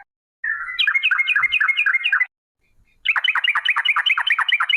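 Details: Yellow-vented bulbul (trucuk) in long rapid 'ropel panjang' song, used as a lure to get trucuk birds singing; two bursts of quick, bubbly chattering notes, the first steadier, the second choppier and sharper, separated by a short silence.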